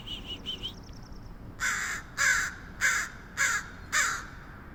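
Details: Strange crow noises from San Francisco: soft chirpy notes and a thin rapid ticking, then five loud hoarse caws evenly spaced about every 0.6 seconds.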